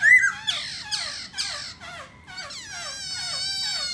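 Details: Black laughingthrush singing while dancing: a loud series of nasal, harmonic notes that each slur downward, about two per second, then a long wavering tone. Faint room hum behind.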